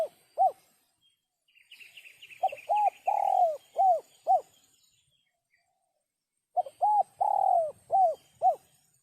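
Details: Spotted dove cooing in sấm chuông style, meant to excite cocks, hens and wild doves; two phrases of low rounded coos with a stretched falling note, soft higher chirping from another bird between them.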